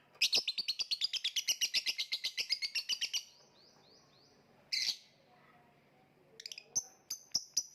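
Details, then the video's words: Lovebird giving a fast rapid-fire series of high harsh chirps for about three seconds, then a few short whistled notes, a harsh burst and more quick chirps. "voice of lovebird / Lovebird kicau"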